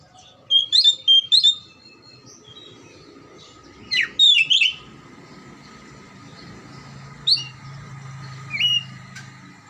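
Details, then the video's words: Lure recording of oriental magpie-robin song meant to stimulate lazy or silent magpie-robins: clusters of quick whistled and chipping notes in separated bursts, some single sharp notes later, over low background rumble and a constant hum. "PANCINGAN KACER MACET & MALES BUNYI AGAR JADI KACER RAJIN GACOR NGOBRA"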